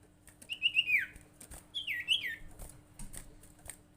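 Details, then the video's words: Sirtu, the common iora, giving a lure call to prompt other birds to call: two quick phrases of bouncing, downward-stepping whistled notes over faint rustling and tapping. "suara panggilan sirtu paling ampuh bikin sirtu atau cipow lain rajin bunyi"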